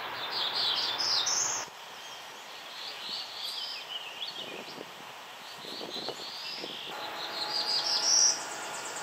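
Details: Black-throated Blue Warbler, a May migrant at Mount Auburn Cemetery, Cambridge, Massachusetts, sings flat, rough, buzzy phrases: a few lower repeated notes finishing on an emphatic higher note, given twice with a faint hush behind.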